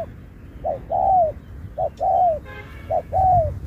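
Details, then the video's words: Spotted dove competing in a singing contest with the Thúc kèm Bo style. Three clear phrases, each a brief hoot leading into a long coo that bends downward, evenly spaced, with a short noisy burst between the last two. "Bài lối Thúc kèm Bo tráo trở nước như chim ngoại"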